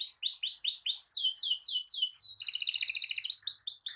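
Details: Canary singing a long roll to provoke rival canaries into song: looping repeated sweeping notes step up in pitch, then a rapid, bright buzzing trill, then the sweeping phrases return.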